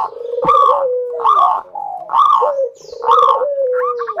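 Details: Prolific local zebra dove singing to draw other doves into song: four loud, bright, buzzy coos spaced under a second apart, linked by soft, level low cooing.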